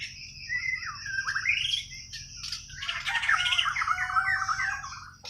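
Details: Borneo white-rumped shama from Kalimantan, singing naturally without tutoring: a long, varied run of whistled slurs and rapid chattering phrases, rising and falling, with a dense burst of scratchy notes in the second half.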